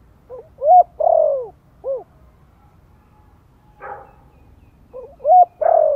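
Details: Spotted dove, a Thổ-voiced decoy, gently calling to stimulate newly kept wild-caught birds: low hollow coo phrases, each a short lead note, a bent rising coo and a longer falling coo, repeated twice with a faint rustle between.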